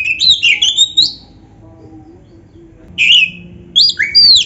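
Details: Champion-style Oriental magpie-robin song, said to make other magpie-robins reply quickly. Twisting high whistled phrases fill the first second, then a pause, then several loud, slurred whistles rising and falling.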